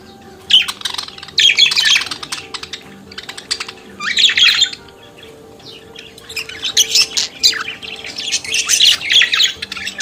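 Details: Budgerigar singing and chattering: long runs of buzzy, squawky warbling and rasping notes come in clustered bouts with quieter gaps, and a busier stretch of chatter near the end, over faint low tones.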